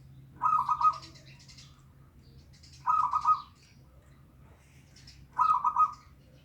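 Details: Local zebra dove song used as a lure for a dove reluctant to sing: three rolling, trilled coo phrases, each under a second, repeated about every two and a half seconds over a faint low hum.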